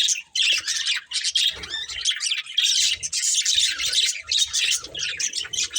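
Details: Budgerigars of a breeding pair warbling nonstop: a continuous stream of high, buzzy chirps, squeaks and trills, fast and uneven, with faint low knocks underneath.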